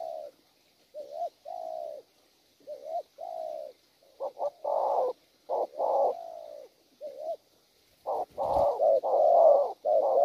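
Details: Wild-caught spotted dove cooing: a series of low hollow coos, some short and clipped, some drawn out, in uneven bursts with brief pauses, rougher and louder toward the end; a faint high hiss runs behind.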